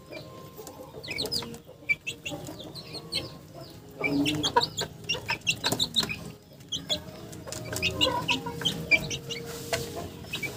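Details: Several chickens clucking and chattering, short bursts repeated irregularly and overlapping, with louder busy stretches and brief quieter gaps.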